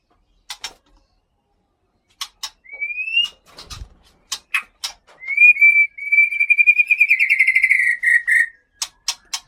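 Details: White-rumped shama kept caged in Aceh, a bird of Gunung Leuser origin. Scattered clicks lead into a rising whistle, then a long buzzy trilled note with a slight pitch rise, and further sharp clicks at the end.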